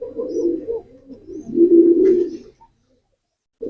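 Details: Pigeon giving deep rumbling coos, two swelling phrases back to back that stop abruptly, then silence.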